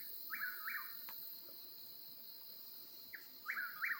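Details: Night in Oklahoma mountain wilderness, an eastern whip-poor-will calling; two repeated three-note whistled phrases at the start, then a pause before another run, with constant high-pitched insect chorus behind.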